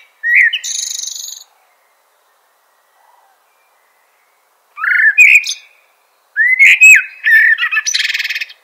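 A Eurasian blackbird sings three phrases a few seconds apart, each a low, mellow fluted warble that breaks into a high, squeaky twitter, with quiet pauses between.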